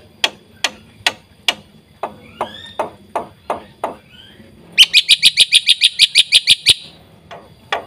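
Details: Black-winged Myna in rich, busy song used for training songbirds: spaced dry clicking taps with faint whistled slurs, then a burst of rapid bright chirps, and more clicks.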